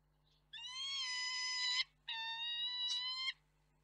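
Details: Two long, even, whining peregrine falcon calls from the Reda nest on 4 May 2023, during a feeding in which the mother urges the father to bring more food. A faint low hum runs underneath.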